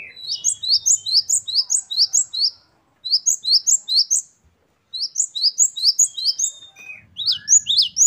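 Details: Great tit, called gelatik batu, singing vigorously with varied phrases. Fast strings of high, sharply rising and falling notes come in bursts of about two seconds separated by short silences. Lower buzzy notes appear near the end.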